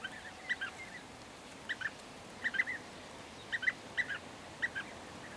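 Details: European bee-eaters (Merops apiaster) in May 2023, giving short, rolling, liquid 'prruip' calls in small clusters about once a second, with a soft hiss of background noise.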